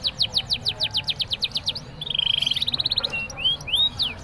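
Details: A canary sings a long, rolling song: a fast series of sweeping whistled notes, then a rapid rolling trill and more bright slurred phrases imitating a prinia.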